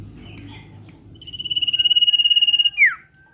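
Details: A 'ngetir' lure of a common iora in full voice. After soft low chatter, one long, evenly pulsed high whistle builds and ends in an abrupt falling slur.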